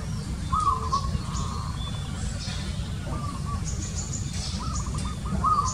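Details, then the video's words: Zebra dove calling in several separate phrases of rapid, staccato cooing notes that are evenly pitched and trill-like, with a steady low rumble in the background. "Zebra DOVE Call"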